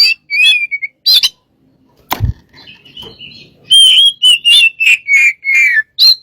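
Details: A white-rumped shama song used to lure birds: scattered whistled notes and a loud thump, then a quiet stretch followed by a rapid run of clear, falling whistles and chips.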